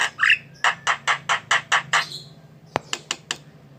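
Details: Energetic jalak kebo, the Javan myna, delivering a run of harsh, squawking broadband notes about four per second, opening with a rising whistle, then a pause and a few sharp clicks; low hum in the background.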